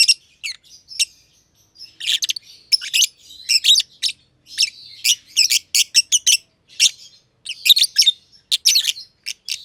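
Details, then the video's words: Two lovebirds, green and green pied personata, chirp for a long time while playing in an aviary. The shrill, squeaky notes are dense and tumbling, with brief twittering passages between louder bursts. "Lovebird Chirping Sounds - Green Personata & Green Pied Personata"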